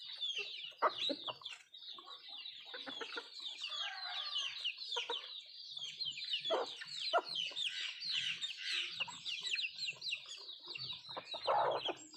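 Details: Country chickens (nattu kozhi) feeding on food, giving busy, overlapping clucks and chattering calls throughout, with short sharp clucks standing out near the start and end, over a steady background of soft noise.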